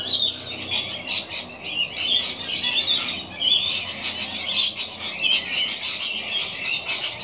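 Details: A pair of rainbow lorikeets playing on a piece of old rope up in a gum tree make sustained harsh, buzzy screeching and chatter, loud and almost unbroken, with short dips between bursts.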